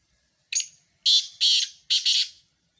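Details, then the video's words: Black francolins: a short harsh note, then a grating, rhythmic phrase of paired rasping notes, clean and close with almost no background noise. "مکس کالے تیتروں کی مکس آوازیں"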